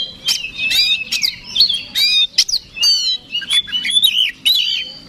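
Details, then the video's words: Fight-provoking song of an Oriental magpie-robin aimed at a rival bird; rich rolling whistles and looping warbles mixed with crisp clicks, delivered in rapid varied phrases. "PANCINGAN KACER SUPER BOCOR NGOTOT TARUNG BIKIN LAWAN MBAGONG"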